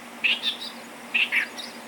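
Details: A Clamorous reed warbler at Bhigwan, India, December 2023, gives its call: two quick bursts of harsh, chattering notes about a second apart, each with three or four scratchy syllables.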